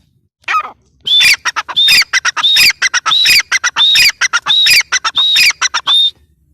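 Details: After one short opening note, a female grey francolin launches into a steady rapid series of shrill phrases. Whistled high tones alternate with harsh chattering notes at a brisk, even tempo.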